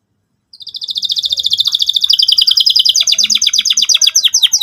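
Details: Canary in full song for young birds learning to sing: after a short silence a fast, even trill starts high and steps lower, breaking into quick repeated chirps, with faint background murmur.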